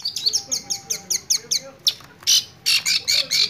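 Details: A long-tailed shrike in full, lively song gives a rapid run of high, scratchy chirps and harsh squawky notes, about three per second, with no other clear sounds.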